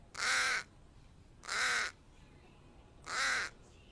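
Three harsh, hoarse caws from a crow, each about half a second long, spaced roughly a second and a half apart against a quiet background.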